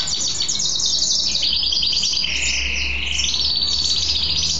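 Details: Male goldfinch hybrid (mule goldfinch) kept as a cage bird sings after bathing, a dense run of high rapid trills sliding between pitches, with a low background hum.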